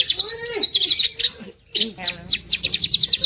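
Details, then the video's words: Green leafbird song of loud, rapid, high chattering notes with a lower slurred warble beneath, a short silent break, then a renewed fast trill. "There is no doubt that this green cucak bird is a super luxurious suwara."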